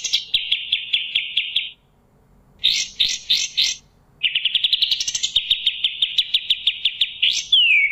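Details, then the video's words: Kapas tembak, the sooty-headed bulbul, in energetic gacor song for pet bird training: three bursts of rapid, high, buzzy chattering separated by brief pauses, the last closing with a descending whistled slide. "SUARA BURUNG kapas tembak gacor"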